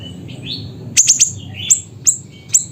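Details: Siri-siri bird from Busu Reului, Pidie, Aceh, in lively song: a fast triplet of piercing high down-slurred chips, then three single chips spaced about half a second apart, with soft distant whistles from other birds.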